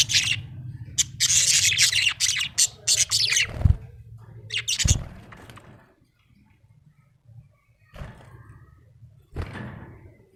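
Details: Happy budgerigar chattering in fast scratchy chirps and buzzy warbles for several seconds, then falling quiet with a few isolated clicks, over low background hum.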